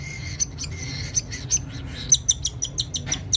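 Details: Cockatiel; begging call; chicks begging for food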